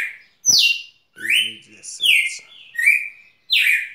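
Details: Red-cowled cardinal singing, recorded at Rio Grosso: clear slurred whistles sliding down from high to mid pitch, a few phrases in under four seconds, with a short low murmur of voices between notes.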